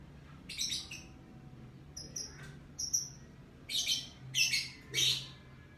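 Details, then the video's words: In the morning a lovebird gives scattered high chirps: a harsh burst, a few thin whistled notes, then three loud rasping squawks in quick succession, with a soft background hum. "LOVE BIRD Kicauan Burung Di Pagi Hari"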